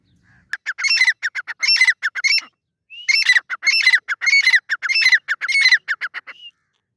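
A grey francolin gives loud, harsh, rhythmic notes in rapid bursts, two runs of about two seconds each with a short pause between.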